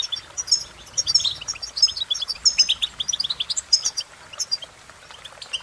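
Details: European goldfinch song: a fast, continuous twittering of high, bright chirps and short trills, tumbling notes packed closely together with no pauses, over a quiet background.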